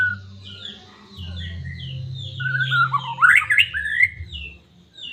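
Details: White-rumped shama of Medan singing to excite a caged bird: a string of high slurred whistles, then a loud jumbled warbling burst with rising and falling notes, faint hum in the background.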